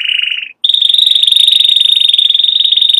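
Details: Canary song: a short lower trill breaks off, then after a brief pause a higher, very fast rolling trill holds steady to the end, dense and even, with a thin overtone above it.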